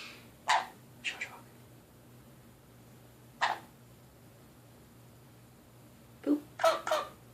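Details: Pet Nanday conure calling at a mirror indoors: a few short, harsh broadband squawks spaced one to three seconds apart, ending in a quick cluster of three raspy notes, with a quiet room hum underneath.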